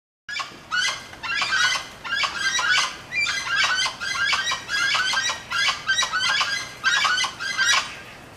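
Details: Gray-headed chachalacas, several birds, making a racket in a yard one afternoon: harsh, raspy chattering bursts repeated roughly every half second in a loud, overlapping chorus.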